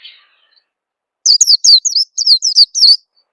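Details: Short lure call of an Oriental white-eye for getting new birds to sing: after a faint opening note and a pause, about eight quick, piercing slurred chirps run together.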